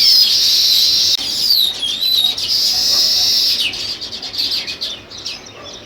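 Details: Continuous loud sparrow chatter of rapid high chirps that thins out into separate notes near the end.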